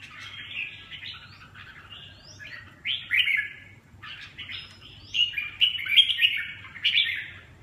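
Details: Red-whiskered bulbul delivering fast, jumbled warbling whistles, softer at first and then louder, tightly packed phrases toward the end.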